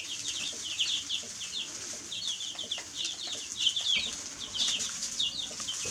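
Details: A brood of chicks chirping nonstop, dense high-pitched peeps overlapping, against steady hiss and faint scratching or rustling sounds.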